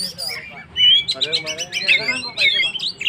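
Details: Oriental magpie-robin (kacer) in lively 'gacor' song, used to provoke and rouse stressed birds: varied whistled and scratchy phrases around mid-high pitch, rapid slurred notes and squeaky bursts in quick succession.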